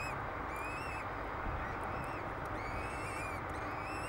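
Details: Peregrine falcon chicks, a pair hatched 10 May 2007, begging while fed on Derby Cathedral's tower in England; shrill, piping notes arrive in short clustered runs, some slurred upward, against constant broadband hiss.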